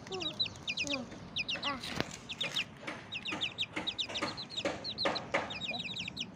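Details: Young Bangkok game fowl chicks out in the morning sun peep in high, rapid clusters, with sharp clicks and low clucks between.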